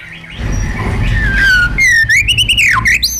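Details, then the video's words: White-rumped shama singing its wild-style song for training caged birds. A soft, muffled start gives way to a clear rising whistle and quick, bright, wavering notes, over low background rumble. "KÍCH CHOÈ LỬA HÓT 100%, LUYỆN CHOÈ LỬA HÓT GIỌNG RỪNG HAY MỚI NHẤT"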